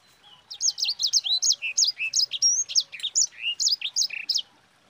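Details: Yellow-fronted canary (sanger) in long rolling song used to prompt other birds to sing: a fast, unbroken run of high, sharp chirps and slurred whistles, some rising and some falling, with no other sounds.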